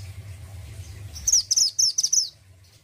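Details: Mountain-type orange-headed thrush in steady song with a characterful voice, giving a run of five or six rapid, thin, high whistled notes lasting about a second after a quiet start with low background hum.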